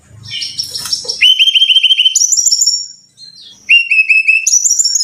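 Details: Caged-bird training song of a Brown-chested jungle flycatcher: jumbled notes and low thumps, then crisp repeated whistles in a low run and a higher run, a brief pause, and the same pattern starting again.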